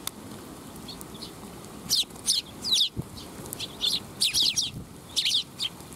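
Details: Tree sparrows coming for food at a Tenmangu shrine, 12 July 2021: faint chirps at first, then clear, bright, descending chirps arriving in twos and threes from about two seconds on, with soft rustling between them.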